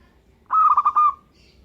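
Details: Perkutut, a local zebra dove, gives one phrase of rapid, bubbling staccato coos finishing on a longer level note, over faint low hum.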